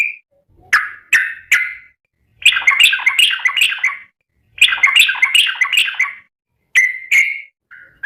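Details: Sooty-headed bulbul calling to its companions: groups of three sharp chirps framing two long bubbling, warbled phrases, ending with a soft short note.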